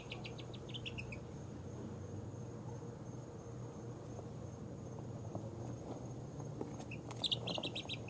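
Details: Two-week-old baby chickens of mixed breeds (ISA Brown, Barred Rock, Easter Egger, Speckled Sussex, Australorp) falling asleep; a burst of short, high, repeated peeps opens the clip, then quiet, and another run of peeps near the end over a steady low hum.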